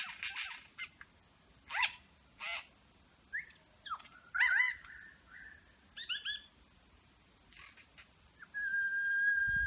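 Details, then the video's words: Superb lyrebird in Berowra Valley National Park imitating other birds and a motor turning over: scratchy bursts, a slurred whistle and clipped notes separated by gaps, ending in a steady loud mechanical whine. "Lyrebird medley"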